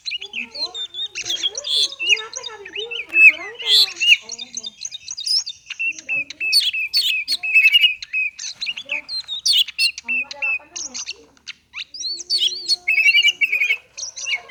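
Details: Oriental magpie-robin delivering konslet song meant to stir non-singing birds of its kind: long, dense sequence of jumbled chips, ticks and slurred whistles, fast and varied, with a short pause near the end before resuming.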